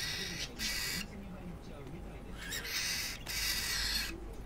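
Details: Pet cockatiel threatening a second cockatiel that has come to its cage, which ignores the threats; harsh hissing screech bursts repeat about every second, with a low voice speaking underneath.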